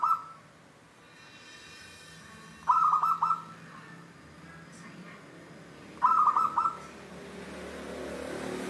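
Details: Local wild-type zebra dove, or perkutut, performing the 'Cristal tembus' song style, with crisp, trilled, bubbling coo phrases that repeat three times at intervals of about three seconds over a quiet background.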